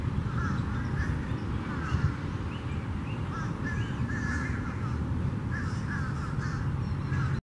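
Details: Several fish crows in Tattnall Square Park on April 6, 2015, give short nasal caws in scattered bursts, partly buried under a heavy low rumble of wind or traffic.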